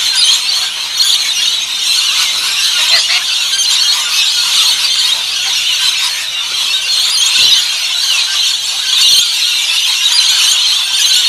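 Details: Rainbow lorikeets at a backyard bird feeding: a continuous dense chorus of shrill, screechy high chatter from many birds, with no pauses throughout.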